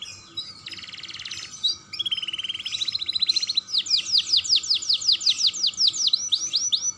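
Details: Young domestic canary singing a lure recording used to stimulate other canaries into song; a fast buzzy trill, then a rattling run of rapid notes and a series of sweeping downslurred high whistles repeated about twice a second.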